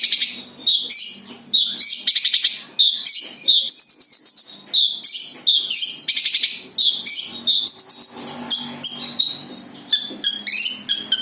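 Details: Long-tailed shrike's natural, unmimicked song for use as a lure: fast stuttering buzzy trills alternate with sustained high whistles, repeated steadily over the whole run.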